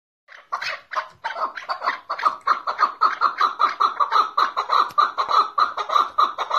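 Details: Chukar partridge, called keklik, singing in Tajikistan: a loud run of clucking chuk notes that starts in separate bursts, then speeds into a steady, even rhythm of about two notes per second, each with a bright ringing overtone.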